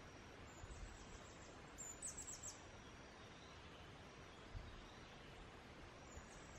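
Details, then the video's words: In the foothills of Guatemala a male Blue-throated Goldentail sings one brief burst of four quick, very high, squeaky notes, surrounded by steady background noise. "Singing Blue-throated Goldentail"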